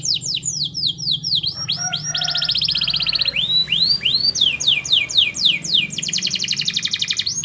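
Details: Canary in vigorous full song, played to prompt a silent canary to start singing: fast, high, sweeping whistled notes repeated in quick series, alternating with rapid buzzy trills and rolls, over a low steady hum.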